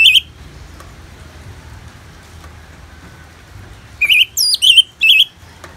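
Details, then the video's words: Orange-headed thrush song with rain, from Bali: one whistled note, a long quiet stretch with faint rain hiss, then a rich run of looping, rising and falling warbles. "Terapi ANIS MERAH Ngeplong dan Suara Hujan ALAMI"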